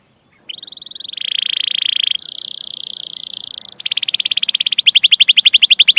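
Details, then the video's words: Canary rolling song from a training recording for young birds: after brief quiet, a steady buzzy trill, then a higher sustained roll, then a loud rapid pulsing trill that grows stronger to the end. "Kenari Gacor Cuit Cuit Panjang || sangat cocok buat masteran burung kenari paud"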